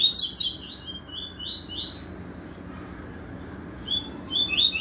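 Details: Several yellow-bellied seedeaters singing together: bright, high whistled notes sliding up and down, clustered at the start and again near the end, with a quieter run between, over a steady low rumbling background.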